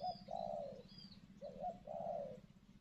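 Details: Decoy spotted dove used by a trapper in thick cover to lure a wild dove: low, soft cooing in two phrases, a short note running into a longer falling coo, repeated, over a steady low hum and faint high chirps.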